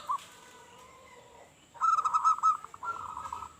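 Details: Loud local zebra dove heard as a lure for other doves: after a faint start, a bright rolling coo phrase of rapid warbled notes rises out of light background noise, then trails into a weaker repeat.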